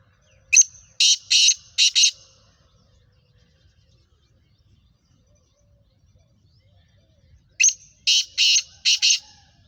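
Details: Female black francolin from Sindh and Punjab calling: two bursts, about seven seconds apart, each a quick series of five harsh, rasping, buzzy notes, with near silence between.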